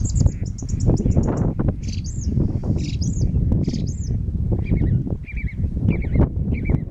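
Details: Eurasian reed warbler song at dusk, 8 pm, Blakeney Freshes, 2 April 2013: a high rapid trill, then arched whistled notes and repeated slurred chirps, all under heavy low wind rumble.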